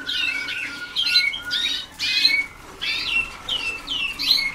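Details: Waterslager canary pupils a few days into song training in 2010: squawky chirps and short down-slurred whistles in bursts about every half second, with a faint continuous tone behind.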